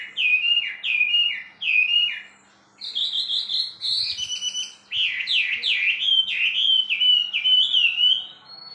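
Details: Varied wambi bird song: three quick repeated whistled figures, a short pause, then a run of higher, rapid, rising-and-falling whistles and buzzy slurred notes lasting several seconds.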